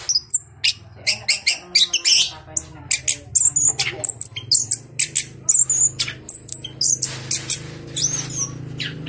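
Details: Orange-headed thrush, a leg-ringed bird from a breeder in south Malang, singing actively with a voice described as crystal-clear: rapid run of sharp, high chirps and squeaky notes in dense bursts over a steady low hum.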